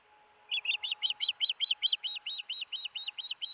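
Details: Osprey at a nest at Hellgate, June 13, 2018, 4:30 pm MDT, as a big fish is brought in: after half a second of quiet, a fast series of high, thin, whistled chirps, about four per second, steady to the end.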